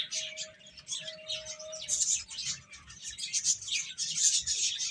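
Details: Young chickens eating and at play: a steady crowd of high-pitched peeping, busier and louder in the second half, over a faint humming tone and low background rumble.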